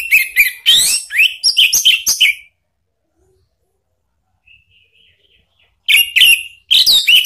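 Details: Orange-headed thrush ngeplong lure song, played to prompt a pet bird to reply. A two-second run of quick, sharp whistled notes and slurred phrases, a faint soft warble, then more loud rapid phrases.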